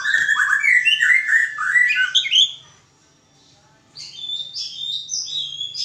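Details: Captive white-rumped shama during mating pairing, delivering a rich rapid run of varied whistled and warbled notes for over two seconds, a pause, then high sharp twittering phrases; faint low hum beneath.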